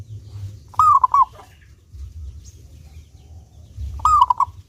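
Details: Lively local zebra dove with a clear voice, meant to lure other doves to sing, gives two cooing phrases about three seconds apart, each a few low, rounded notes ending in a soft rapid roll, over a quiet hum.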